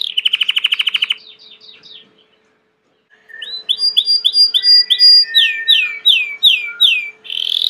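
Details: Belgian canary song from a domestic bird: a fast rattling trill, a brief pause, then clear repeated rising chirps and downslurred whistled notes in rhythmic series.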